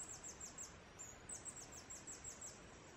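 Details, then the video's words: A male Blue-throated Goldentail (Chlorestes eliciae) in the foothills of Guatemala sings a string of very high, thin, squeaky notes, several per second with a brief pause, over a steady background hiss. "Singing Blue-throated Goldentail"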